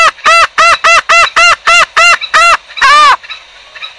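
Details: Trapping lure call of the green junglefowl: nine loud, clipped nasal honks in quick succession, then a longer drawn-out honk, after which faint quieter notes trail off.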